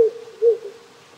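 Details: Night-time wild owl near a country house in Japan: the tail of one low hoot followed by a single mellow hoot, backed by the soft rushing of a small stream.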